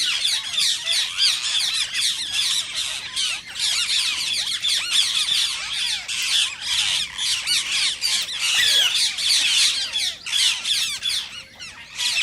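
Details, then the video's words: Rose-ringed parakeets, a sound said to stimulate singing and mating in other parakeets that hear it. Dense, continuous chorus of shrill, harsh squawks and screeches overlapping throughout. "صوت ببغاء الدرة الخضراء"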